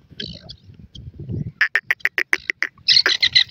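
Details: Black francolin (kala teetar), in Pakistan, giving a rapid run of harsh, grating clicks, about four a second, ending in louder rasping squawks; a low murmur comes first.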